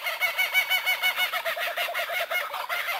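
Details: Clear kookaburra laugh made of evenly spaced, ringing hoo-hoo notes, about three a second, in a steady cackling series.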